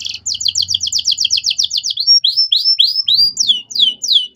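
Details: Canary song used as a master recording for training young songbirds: a fast trill of repeated high chirps, then slower downward-sweeping whistled notes, with a faint low hum beneath.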